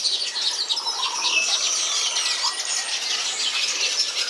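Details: European bee-eaters at Antwerp Zoo on 9 July 2018 chatter continuously in a dense flock, with overlapping high, rolling chirps and trills layered without pause.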